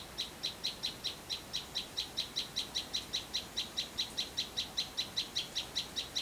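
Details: Flowerpecker singing in a rural home garden behind the house in Vietnam: bright, clear high chips repeated steadily about two and a half times per second throughout, with a faint background hiss.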